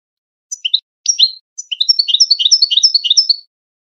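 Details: Wedani-style European goldfinch song, meant to tutor young goldfinches and hybrids for contests: a few opening chirps, then a rapid, even run of high two-note twitters, about three per second, with no other sounds.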